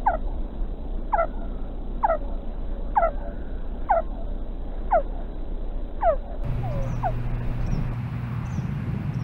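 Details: Wild female osprey at her nest in Hellgate Canyon, Missoula, Montana, on 14 July 2016, calling for her mate: a series of sharp, downslurred whistles repeated about once a second, then fainter high chirps over a low steady hum.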